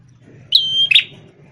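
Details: Red-headed prenjak tamu prinia, described as a lively champion singer once used as a tutor bird for white-rumped shamas, gives a single phrase: a high, thin whistled note sliding level, then a short buzzy burst.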